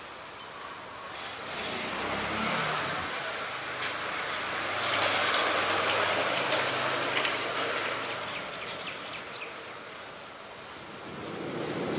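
Passing road traffic and a low engine hum, with no animal voice standing out.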